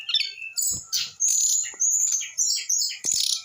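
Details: An eight-month-old brown-chested jungle flycatcher pours out fast, overlapping high whistles and scratchy chatter in bursts about every half second, with a long bright sustained note midway.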